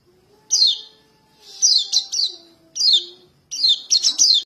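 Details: A young white-eye calling for its parents, used as a trapping lure, gives thin, high, falling chirps in quick bursts of one to three notes, about once a second, over a faint low steady hum.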